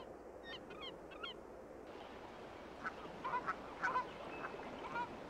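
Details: Canada geese, which breed in Acadia National Park, Maine, give short, nasal honks, a quick cluster at first and then scattered, uneven calls about twice a second, over a steady background hiss.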